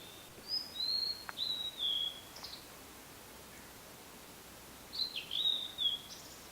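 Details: Song of a blue-and-white flycatcher at the prefectural forest park in Yaita, Tochigi Prefecture, Japan. Bright whistled notes slide downward in a flowing phrase, then a second shorter phrase follows after a gap of about three seconds. Little background noise.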